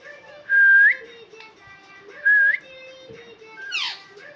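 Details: A pet talking parakeet indoors on a hot day gives two loud, clear whistles about two seconds apart, each held level then sliding upward; soft human voices and a quick downward squeak follow.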